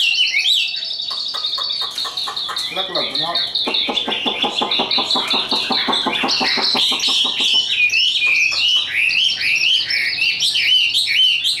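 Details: Caged Chinese hwamei trained by hand, a contest bird, opens with clear whistles, then pours out a long rapid stutter of harsh repeated notes before returning to bright, wavering whistled phrases.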